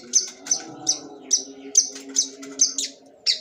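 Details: Long-tailed shrike in sembur mode repeats short, high, scratchy notes about every 0.4 seconds, each with a bright whistled start, against a low steady hum.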